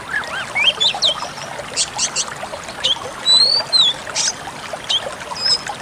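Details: Pied Bushchat song used as a training recording for caged songbirds: rapid scratchy twitters mixed with thin high whistles, some rising or falling, and sharp clicks, in busy overlapping bursts.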